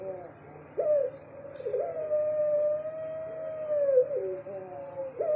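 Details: A caged puter pelung Barbary dove gives a prolonged level coo with a falling tail, followed by short notes and a new coo, alongside faint rustling sounds and a constant low hum.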